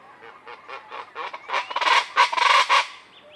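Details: Common chachalacas in morning jungle of the Sierra Madre near Banderas Bay, Mexico, a loud social group: soft, spaced calls build quickly into a raucous, rhythmic chorus of harsh, grating notes several per second, then stop abruptly.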